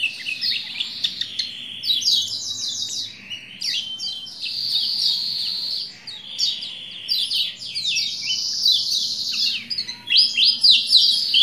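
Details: Lombok white-eye singing in a lure recording meant to rouse a male into song, a long unbroken stream of fast high twitters, buzzy trills and descending slurred notes, about four elements a second, bright and energetic.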